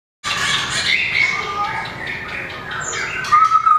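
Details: White-rumped shama, a small long-tailed bird, in competition singing while flicking its tail and hopping along the perch: clear whistled phrases around mid pitch, some sliding, with brief higher notes near the end.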